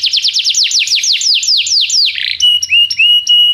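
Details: Tutor song of a canary for teaching a young bird: a rolling trill of steeply falling whistled notes slowing toward the end, followed by a steady pure whistled tone broken by short high clicks.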